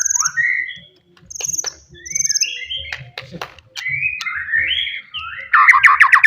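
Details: Wild forest white-rumped shama singing loudly to provoke rivals: varied whistled phrases, slurred rising and falling notes, high thin notes and a fast rattling burst at the end, with faint low background rumble.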